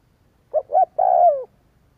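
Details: Spotted dove lure coo meant to make other doves answer: a brief soft note, a second slightly longer coo, then a sustained raspy coo easing downward in pitch.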